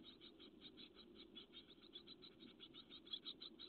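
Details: Nest webcam recording of great tit chicks on 12 May 2017: a steady stream of high, pulsing, buzzy chirps repeated several times per second throughout, over a low background hum.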